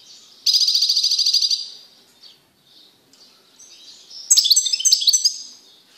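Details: Male European goldfinch in a cage, singing after isolation from a female canary following mating: a rapid rattling trill lasting about a second, a quiet pause with soft notes, then a bright tumbling twitter of high chirps.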